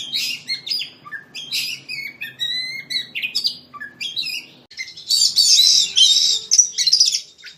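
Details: White-rumped shama song used as a master recording for contest birds: short whistled phrases with upslurred and downslurred notes repeated in quick succession, then a dense burst of bright chattering and trills.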